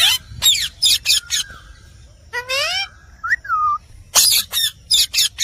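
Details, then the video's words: Talking Indian parrot (rose-ringed parakeet): sharp raspy screech bursts, then a ringing drawn-out note rising in pitch and two short whistled swoops, followed by more harsh clipped squawks. "Indian Parrot Talking Natural Sounds"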